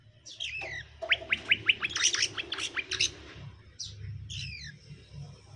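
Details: Male and female greater green leafbirds being matched as a pair; a rapid run of about ten bright, clipped notes is followed by a couple of slurred, descending chirps, with steady low background noise.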